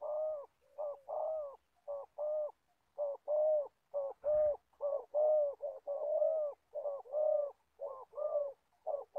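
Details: Old decoy spotted dove used for trapping wild doves in Gia Lai, Vietnam, praised for its good voice, coos steadily in short hoarse phrases of two or three notes, repeated about once a second, with a brief knock midway.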